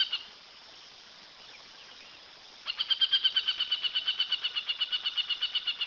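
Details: Aplomado falcon: quiet at first, then a loud, abrupt burst of rapid, high, clipped notes, close to three per second, continuing steadily for over three seconds with slight fading.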